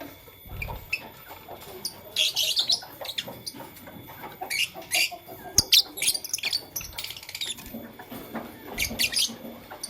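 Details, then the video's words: Morning chirping from Fischer's and masked lovebirds: harsh, high, scratchy bursts come in clusters every second or two, with some faint softer notes and rustling between them. "LoveBird Chirping Sound"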